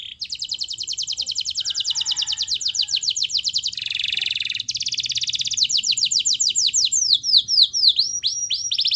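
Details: Canary in full song, used as a master recording to prompt other canaries to sing: long fast rolls of sweeping high notes repeated several per second, a brief harsh buzzy burst in the middle, then slower descending whistled sweeps.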